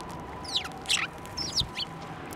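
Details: Sparrows flying down to a hand to be fed at Tenmangu shrine on 15 March 2024: scattered high, slurred chirps, some in quick pairs, with a low steady hum underneath.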